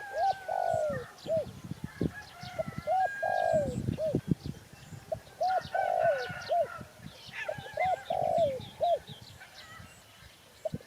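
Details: Spotted dove giving repeated cooing phrases: short hooked notes followed by a longer, slurred, falling coo, about four phrases in eleven seconds, with low rumbling thumps and faint chirps from other birds behind.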